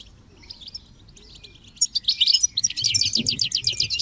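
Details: Goldfinch with chirping chicks, recorded to encourage and train goldfinches in song: near-quiet opening, then a dense rush of rapid high twittering notes, about four per second, growing louder toward the end.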